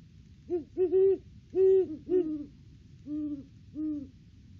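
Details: Great horned owls, a pair visiting their nest tree in the off-season before February egg laying, trade deep hoots in a duet: a rapid cluster of higher notes, then two spaced, lower, drawn-out hoots.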